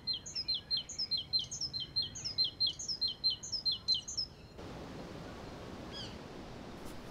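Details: A coal tit sings from a treetop in Kensington Gardens, London, in April 2016: a quick run of high, thin two-note phrases, about a dozen in four seconds, then the song stops and low background hum remains.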